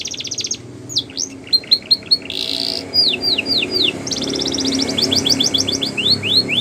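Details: Border canary training song for young canaries: a short rapid trill, scattered swept chips, a dense buzzy burst, slow descending whistles, then a long fast rattling trill and further swooping notes over a faint low hum.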